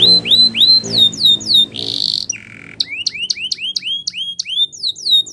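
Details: Canary Spanish Timbrado training song: drawn-out down-slurred whistles, a harsh buzzy burst, a lower rasp, then rapid rising chip-like notes; faint low tones in the background.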